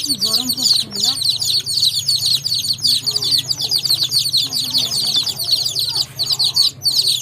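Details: Baby chicks chirping nonstop, a dense mass of thin, high peeps; faint low murmuring voice-like sounds and a steady low hum sit beneath the chorus.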